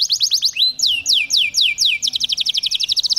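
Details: Agitated male canary singing in a cage to court: quick falling notes, then slow long downward-sliding whistles, finishing in a fast bright trill.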